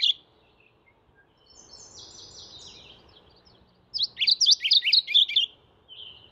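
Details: Mourning warbler calling: faint whistles from other birds in the first half, then a loud rolling burst of rapid, buzzy, up-and-down two-part notes repeated for about two seconds before trailing off.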